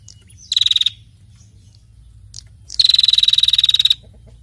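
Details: Female prinia calling actively: two buzzy, rapidly pulsed rattles, the first about half a second long, the second a longer trill of over a second, with a quiet gap between.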